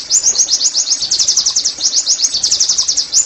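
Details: Oriental white-eye singing the rapid 'nembak' song used for caged-bird therapy: a steady stream of very high, sharp chirps repeated in quick pulses throughout.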